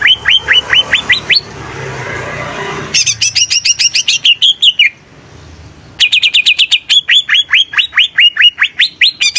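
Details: Greater green leafbird in full, lively song: a fast row of rising whistles, a brief noisy pause, then rapid forked chips, a drawn slurred note, a quiet gap and another long burst of upswept whistles.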